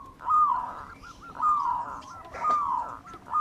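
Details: Local wild-type zebra dove singing energetically, used as a lure bird: drawn-out, wavering cooing notes at mid pitch, repeated roughly every second with brief clipped notes between, over a faint background hiss.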